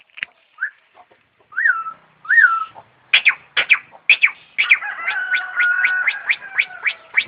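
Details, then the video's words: Starling mimicking an ambulance siren: slurred rising whistles first, then sharp downward chips, ending in a fast, even string of clicks over a held warbling tone. "Kicau Burung Jalak Jos Manggung Menirukan Suara Mobil Ambulance"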